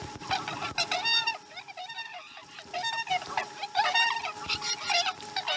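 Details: Chesapeake nest osprey calling through a slow-starting morning feeding, 2019-12-12: dense, insistent series of sharp piping chirps, several per second and nearly continuous, over a faint steady hum.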